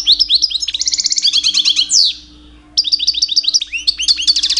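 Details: Two-year-old pet European goldfinch singing in mating season to attract females: fast tinkling high twitters and buzzy trills, a sweeping downslurred note near the middle, a short pause, then more rapid chattering phrases over a faint steady hum.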